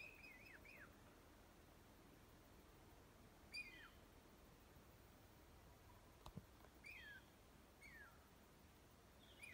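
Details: Northern flicker at a fen in Yosemite gives loud, down-slurred 'kee-yer' calls, one every few seconds, over a steady background hiss with a single sharp click.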